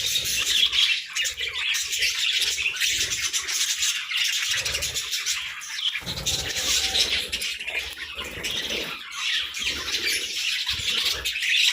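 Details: Morning activity of a budgie flock: continuous shrill twittering and chirping from many birds, with intermittent low rumbling and rustling, possibly flapping or distant traffic, between the bursts.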